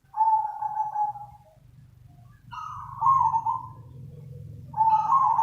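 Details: Zebra dove lure call: three vibrating coo phrases, each slightly stepped in pitch, separated by gaps, with a constant low mechanical hum underneath.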